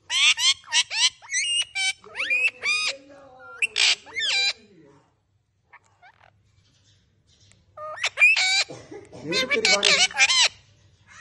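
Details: Pet talking parrot speaking Urdu-Hindi words, a phrase about wanting to eat churi: rapid bursts of shrill, squeaky, speech-like syllables, a pause of near silence, then another quick run of chattering words ending in harsh squawky notes.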